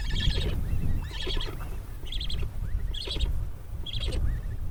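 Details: Cory's Shearwater giving five short, harsh, nasal squawks about a second apart against a constant low rumbling background.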